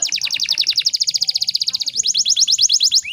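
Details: Canary hen in breeding condition, used to stir male canaries to sing: a fast, even trill of high chirps, about ten per second, shifting to a slightly slower, sharper series before a closing upward sweep.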